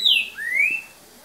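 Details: Green-winged saltator recorded at 7:38 pm on 3 January 2019 gives a brief, clear whistled phrase: a high note sliding down, then a smooth upward slur, in the soft 'boca mole' song style.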